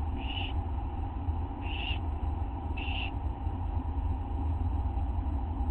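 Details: At 1:29 AM on August 9 an owlet begs as a parent brings a teeny mouse; three short hoarse hisses spaced over a second apart, then only steady low hum.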